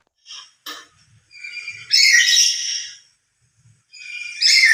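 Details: Emotional loud calling of a lory, which calls harder alone than with companions: a few short faint notes lead into a long, harsh, harmonic-rich screech, followed by another strident cry after a pause.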